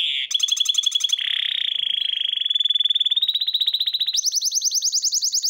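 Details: Hybrid canary, a breeding bird, sings loud continuous tours: a buzzy rattling opening, a smooth rolling trill that slowly rises in pitch, then a higher, faster series of sweeping notes.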